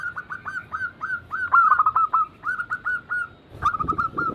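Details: Singing zebra doves used as a prompt recording for reluctant birds: quick series of clipped, slightly upslurred coo notes, one voice overlapping another midway, ending with a soft rumble under a final run.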